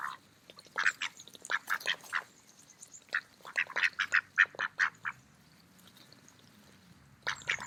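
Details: Mallard ducks eating in a park on an autumn day: bursts of quick, clipped quacks in rapid runs, then a pause of about two seconds before more quacking starts.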